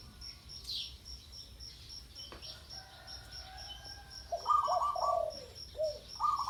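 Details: Spotted dove, a bird kept for ground decoy luring, gives a few hoarse, rolling coo phrases late in the recording. The first part holds only faint background chirps and a steady high insect pulsing.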